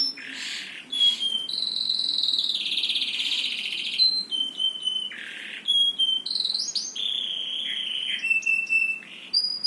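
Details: Bird song made of varied phrases: sustained buzzy high notes, short thin whistles and abrupt shifts in pitch, with brief pauses between bursts, over a faint hiss in the background.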